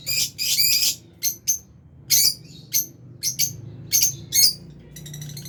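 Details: Lovebirds kept in an aviary, albino and Fisher's birds feeding together, produce loud high chattering chirps in irregular bursts, some clustered notes and some single sharp ones, with a faint hum beneath.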